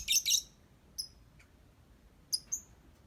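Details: Lovebird singing: short bursts of shrill, high chirps, a dense double burst at the start, then sparse single sharp tweets with quiet pauses between.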